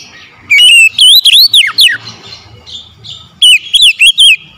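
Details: Oriental magpie-robin at morning: a sweeping phrase of loud rising and falling whistles, a pause, then a fast cluster of short twisting notes.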